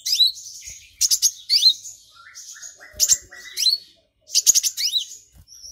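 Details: Brown-throated sunbird singing hard after being stirred up, including mimicked golden grasshopper song: fast high chatter of stuttered chips, upward-sweeping whistles and short lower buzzy notes, in phrases roughly every one to two seconds.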